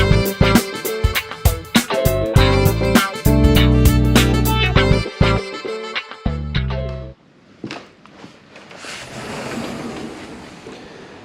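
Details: Plucked instrumental music plays for about seven seconds, then gives way to a low, steady background rumble with no animal voices.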